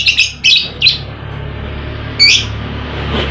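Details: Lovebird calls used as a lure to make a lazy lovebird sing: a few quick, shrill, squeaky chirps at the start, then a pause, then one more sharp chirp, over a low electrical hum.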